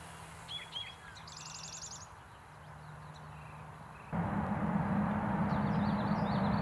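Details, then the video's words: Eastern towhees at East Ithaca on 8 May 2020 sing a variation of the "drink your tea" song: two short clear notes, then a fast high trill, over a low rumble that becomes loud traffic noise. "Variations on "Drink Your Tea" (Eastern Towhees"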